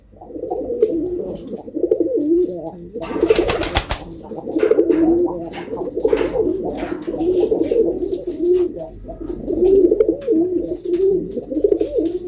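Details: Domestic pigeons kept indoors, many birds cooing together in overlapping low rolling coos, with a brief burst of wing flapping or clatter midway.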